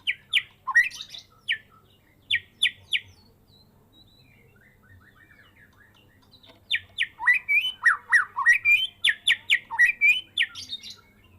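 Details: Medan white-rumped shama in a cage, raised from a fledgling and now past its first moult, giving a full song of fill-ins: a few clipped whistled notes, a pause, then a long dense run of chattering, slurred and rising phrases.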